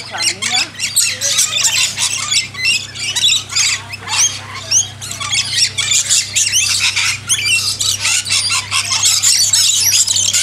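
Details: Backyard lorikeets during hand-feeding, many birds screeching at once in piercing, grating bursts and rapid chatter that barely pauses, over a faint low mechanical hum.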